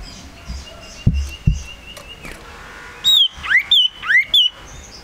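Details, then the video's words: Tame male Common Iora produces loud high whistles in its second half, four or five notes that fall and rise in sharp sweeps, after a quieter long steady whistle and a couple of knocking sounds. "Suara Sirtu Jantan !! Burung Sirtu Cipoh Sirdung Sirdum Jantan Terbaru"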